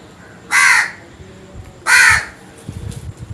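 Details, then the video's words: Crow calling in the morning: two loud, harsh, raspy caws about 1.3 seconds apart, each lasting roughly a third of a second, over a low rumbling background hum. "Crows Sounds"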